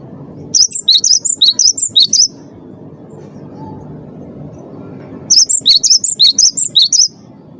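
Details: 'Wingko' Cinereous tit, champion lure singer for prompting captive birds; two energetic bursts of rapid, high, squeaky chirps, about ten notes each, separated by three seconds of low background hum.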